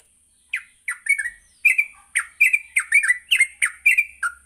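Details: Yellow-vented bulbul morning song used to coax bulbuls into ngropel: after a short silence, loud, slightly harsh warbled notes tumble out rapidly and continuously.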